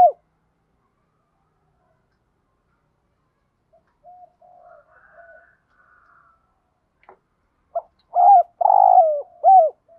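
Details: Spotted dove cooing in the thổ đồng style, used to stimulate training doves: soft scattered hoots and a faint higher wavering sound, then one full loud phrase of rolling coos ending in a falling note.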